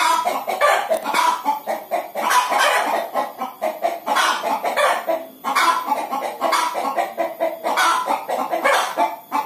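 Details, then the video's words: Prolonged clucking from hens about to lay eggs: raspy, broad notes repeated in irregular clusters over several seconds with only brief dips between bouts. "Ayam Betina Mau Bertelor"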